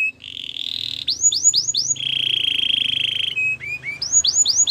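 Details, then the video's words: Belgian singing canary, a caged songbird, alternating a sustained rattling trill with bursts of upward-curving whistled notes, a second long buzzy roll, then short descending chips and more rising loops; soft low hum in the background. "A special canary to seduce all the canaries - The belgian singing canary"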